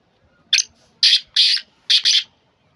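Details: Black francolin of the Sindhi breed, kept for its beautiful spirited call: a loud, harsh, grating phrase of about five rasping syllables in uneven pairs, with faint background murmur.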